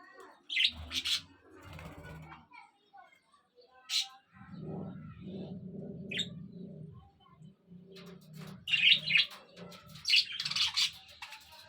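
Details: Budgerigar chatter early in the morning on 8 October 2023: scratchy, high chirps and warbles in short bursts, with a low murmur in the middle.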